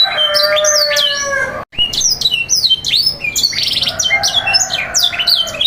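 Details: Canary song played to teach young canaries and prompt them into full song: a long steady rolling trill, a brief break, then bright descending whistles, chattering notes and a buzzy burst repeated in quick succession.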